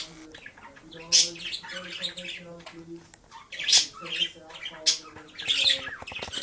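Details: Male budgerigar kept as a pet, playing with his disco ball in sunlight; squeaky, scratchy chatter with several loud shrill bursts, mixed with soft low humming tones.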